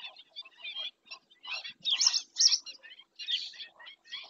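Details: A webcam in Doñana National Park, Spain, records black-winged stilt: a busy sequence of short squeaky notes with two louder, harsher yelps in the middle, irregular and fast.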